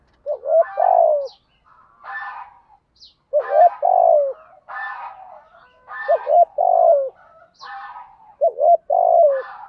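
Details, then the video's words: Repeated spotted dove cooing in the 'thúc gù' style, used to draw answering coos from young birds. Several rolled, falling coo phrases run in close succession, with harsher, rougher notes interleaved between them. "thúc gù/ chim cu gáy bài bản/ giọng nhạy bổi giúp bổi nghe là gáy theo liền"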